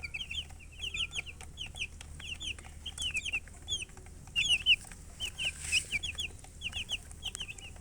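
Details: Chicks chirping: a busy chorus of short, high peeps that sweep down and rise again, repeated rapidly in clusters over several seconds against a low background hum.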